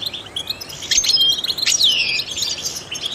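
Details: Song of a trained goldfinch meant to encourage other songbirds, with sharp high chirps, a thin whistled note and a long sweeping descending slur, over faint background hiss.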